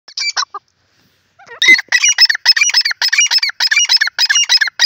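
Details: Grey francolin roaming free, calling in the open: a harsh, rapid series of clipped, grating notes repeated in quick bursts after a brief squeaky opening phrase.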